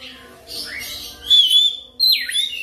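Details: Lure song of an oriental magpie-robin (kacer), used to make birds sing fast and continuously: a soft opening slur, then a bright wavering whistle and a sharp downward-sweeping phrase.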